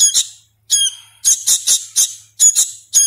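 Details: Young hand-fed sooty-headed bulbul, still learning to call, producing loud, screechy, high begging notes in rapid clusters after a brief pause.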